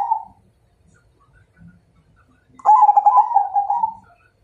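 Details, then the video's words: Zebra dove of the Majapahit type calling as if inviting a fight. A short coo tail opens, then after quiet comes one loud burst of rapid pulsed, vibrating cooing that slowly fades out. "Suara Perkutut MAJAPAHIT Ngajak Tarung"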